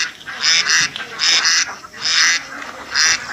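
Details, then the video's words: Village ducks in Assam playing in water quack in loud, nasal bursts, often doubled, about every three-quarters of a second, with a little background hiss. "Funny Ducks sounds || Ducks playing in Water"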